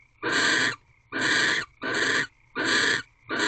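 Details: Barn owls mating inside an owl box at a corral, 4 March 2023, 4:17 am, night fifteen; five even, breathy hissing bursts, each about half a second, spaced roughly 0.8 seconds apart.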